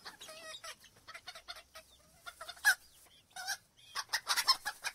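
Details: Mixed chicken sounds: wavering tonal calls, scattered clucks and a burst of rapid notes near the end, over a noisy, busy background.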